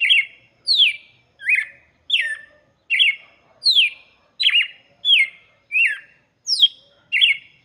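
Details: Red-cowled cardinal song presented as a song for chicks: short whistled, slurred phrases, some falling and some rising, repeated about every 0.7 seconds, eleven phrases in a steady series, with a quiet background.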